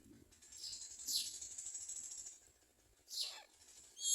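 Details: Myna chicks in the nest, fed crickets by their parents, give harsh, hissing, raspy begging bursts. Three rough squawks spread over about four seconds, with faint rustling between them.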